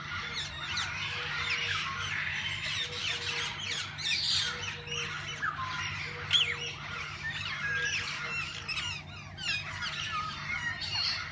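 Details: Various parakeets kept in a walk-in aviary of a parrot park, where visitors can feed and hold them. Continuous busy chatter of scratchy squawks and twitters comes from many birds at once, with intermittent beeping and a low hum.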